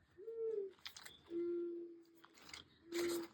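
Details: A mourning dove sings in December, heard from indoors: three low, soft, drawn-out cooing notes about a second apart, with faint household clatter between them.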